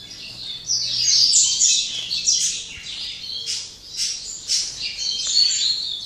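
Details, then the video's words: Double-collared seedeater from a breeding facility in Jaboticabal, São Paulo, Brazil, singing the Máquina song style in late afternoon after singing all day; rapid, nearly unbroken high twittering and buzzy phrases, loud throughout, with brief dips about every second. "Coleira cortando canto Máquina"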